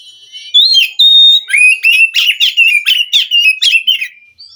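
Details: Oriental magpie-robin of the wild forest, stirring a captive bird that will not sing: a clear held whistle, then rhythmic loud phrases, each a quick rising and falling warble.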